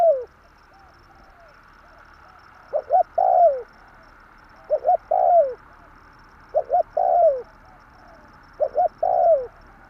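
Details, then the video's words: Spotted dove coos used as a trapping lure: four phrases, each two short hooted notes then a long descending coo, spaced about two seconds apart over a quiet background. "burung tekukur tarik akar/សំលេងលលកធ្នាក់លឺល្អ100%/Suara pancingan derkuku kuk"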